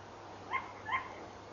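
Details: Tawny owl at a nest camera at 23:32 on 11 November 2013, giving two short, hoarse yapping barks about half a second apart, mid-pitched with a slight rise, over faint steady background hiss.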